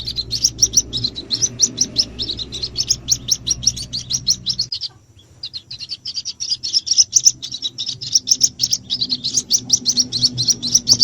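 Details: Young white-breasted waterhen calls meant to lure the adults: a steady stream of shrill, rapid peeps, briefly breaking off near the middle before resuming at the same pace, with a low hum underneath.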